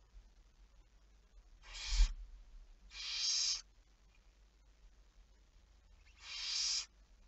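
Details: Hissing screech calls of a barn owl, 11 May 2019 late at night, three drawn-out rasps with a soft thump just before the first and a steady low rumble underneath.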